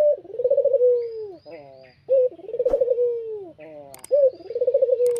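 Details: Barbary dove cooing in the afternoon: a low, rolling, warbled coo sliding into a long falling note, repeated roughly every two seconds with brief faint chirps between phrases.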